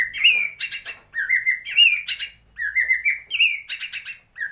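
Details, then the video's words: Borneo white-rumped shama from Kalimantan, Indonesia, whose song carries imitations of swiftlet, fighting sparrow and lovebird: slurred whistled phrases alternating with clusters of dry, crackling ticks. "MURAI BATU BORNEO / GEMBUNG ISIAN WALET ,GEREJA TARUNG ,LOVEBIRD"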